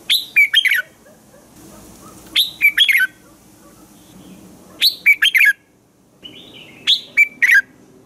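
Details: Red-whiskered bulbul morning song for training other bulbuls: four lively whistled phrases spaced roughly two seconds apart, each a brisk cluster of four or five chirpy, descending notes, with a faint softer warble between.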